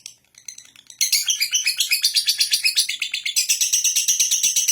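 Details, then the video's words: Lovebird in the long ngekek style: after a few scattered chirps, a loud, continuous rattling chatter of rapid, harsh repeated notes, roughly three per second, without pause. "LOVE BIRD"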